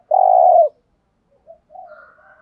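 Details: Spotted dove used as a decoy to lure wild doves. A single long, steady, low coo is followed by a pause and a few faint, softer murmured notes.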